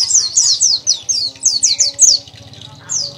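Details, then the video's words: Persistent, vigorous song of a dakun white-eye: about nine loud, high, steeply falling slurred notes in quick succession, then a short gap and one more falling note, with a soft low hum beneath. "pleci dakun gacor ngotot sobek sobek"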